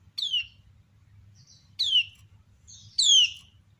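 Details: Three sharp falling chirps, growing louder, from a female common iora calling to provoke replies from other ioras, spaced roughly every one and a half seconds, with a faint thin whistle between.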